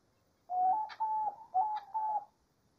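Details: Diamond dove singing in nature: two paired phrases of soft cooing, each a short low note stepping up into a longer level coo, with a brief high tick in each phrase.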